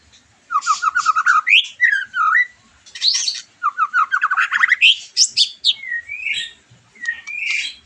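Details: White-rumped shama singing, a recording used to stimulate a bird after moulting; rapid rising trills of short notes, then sweeping whistles and harsh chattering, phrases repeated twice in quick succession.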